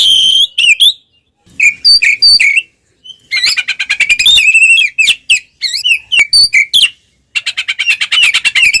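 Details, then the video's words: Oriental magpie-robin singing the ngeplong fighting song that provokes rivals: rich whistles alternate with rapid rattling trills and chatter, delivered in several bursts with brief silences between. "suara burung Kacer NGEPLONG tarung paling ampuh buat pancingan Kacer"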